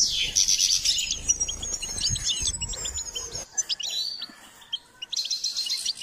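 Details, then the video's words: Goldfinch song used in bird training: an excited, tumbling twitter with quick chips and trills, a short pause, then a fresh bright burst at the end. Low rumble accompanies the opening seconds. "Step by step enhancing the goldfinch’s singing"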